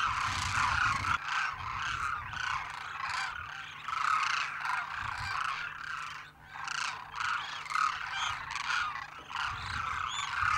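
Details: Large gathering of demoiselle cranes, migratory birds, calling together in a dense chorus of overlapping harsh, rolling croaks and trumpeting notes, continuous throughout with steady low rumble beneath.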